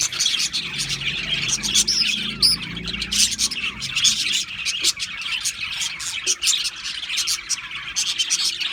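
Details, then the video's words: Steady twittering from many Australian parrots, high chirps, short whistles and scratchy squeaks overlapping densely throughout, with a faint low hum in the background. "Beautiful Australian Parrots Chirping sounds beautiful Parrots Sounds"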